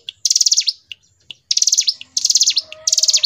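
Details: Hill prinia in loud, continuous gacor ngebren singing: four bursts of rapid, high, pulsed notes, each about half a second and ending in falling sweeps. Short pauses separate the bursts, with a faint lower whistle in the background.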